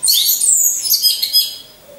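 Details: Caged orange-headed thrush used as a lure for training: one loud, very high, fast twittering phrase with sweeping notes, fading out after about a second and a half.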